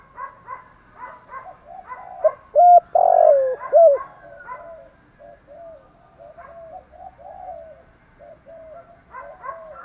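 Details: Cooing of spotted doves, hens and cocks, used to rouse decoy birds in training. Many soft, repeated coos from several doves surround one loud phrase of mellow notes, with a long, slightly falling coo in the middle.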